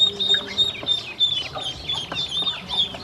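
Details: Baby domestic ducks calling from hunger during feeding, with piercing high peeps in quick, uneven bursts, several birds at once.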